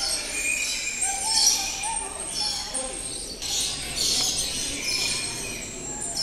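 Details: Many caged birds chirping in an aviary at Ramoji Film City: a dense, continuous wash of high twittering and chirps, with a few steadier whistled notes threading through and swelling in bursts throughout.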